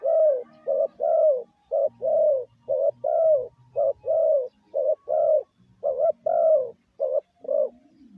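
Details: Spotted dove lure coos, used to train decoy birds, repeated steadily about once a second: alternating clipped double notes and longer falling coos in a continuous run, with a faint low rumble in places.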